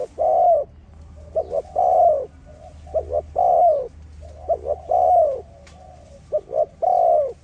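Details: A dove used as a lure to trap other doves coos in low, soft phrases, each a quick pair of short notes then a longer rolling coo, repeated about every one and a half seconds over a faint hum.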